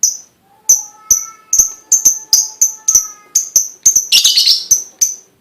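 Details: Lovebird prompting call for getting other lovebirds to sing: regular sharp high chirps roughly every third of a second, with a brief harsh buzzy flurry near the end and faint thin tones behind.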